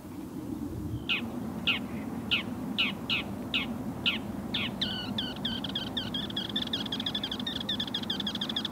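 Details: Bull-headed shrike in South Korea, probably one of a mated pair. About eight harsh, separate notes come roughly every half second, then break into a fast, scratchy, even chatter, over a constant low hum.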